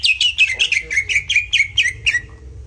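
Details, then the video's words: Greater green leafbird master song for jantrok: clear, evenly spaced notes about four per second, each dropping sharply from high to a lower pitch, over a steady low rumble. "CUCAK IJO Auto JANTROK denger Suara Masteran ini"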